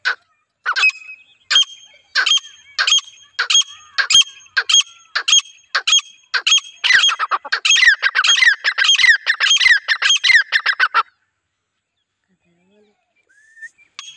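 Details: Calling female grey francolin, the kind of call used to draw in wild birds: loud, sharp notes that start spaced about a second apart, then speed into a rapid harsh series before stopping abruptly, followed by near silence.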